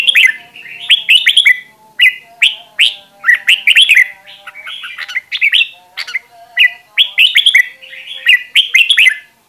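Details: Caged red-whiskered bulbul used as a decoy for voice training, in a fired-up state, singing short warbled phrases of rising and falling whistled notes, repeated every second or so with brief pauses between bursts.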